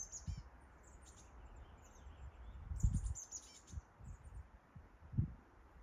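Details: Chestnut-backed chickadee on Mt. Doug gives thin, high, buzzy notes in two short bursts, about three seconds apart, over low rumbling wind and handling thumps.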